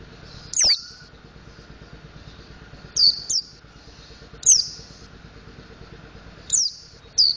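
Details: Mountain white-eye learning to sing ngriwik and ngeplong: scattered high, sharp downslurred whistles, some in quick pairs, spread over several seconds above a faint low hum.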